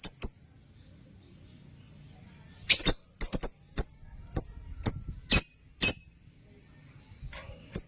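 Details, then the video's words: Lutino opaline lovebird kept in a cage gives about a dozen sharp, shrill, high, squeaky chirps in irregular bursts, some doubled, with quiet pauses between. "Love birds sounds|Love bird pakhi|love birds voice|Lutino opaline lovebirds"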